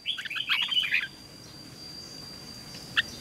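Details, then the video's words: Red-whiskered bulbul giving the ché song used for training bulbuls to sing: a brief jumbled phrase of twittering notes in the first second, then hiss with one isolated chirp near the end. "Luyện chào mào hót căng lửa, QUÁ HAY - CHÉ KÍCH BỔI CĂNG ĐÉT, Cách luyện chào mào hót sáng"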